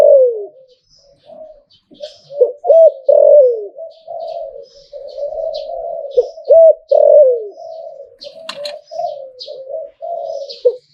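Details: Extended zebra dove song in the Thai hlio-tan style: a continuous run of low rolling coos, repeatedly swelling into loud looped, descending phrases. Faint high-pitched chirps and one sharp click are also heard.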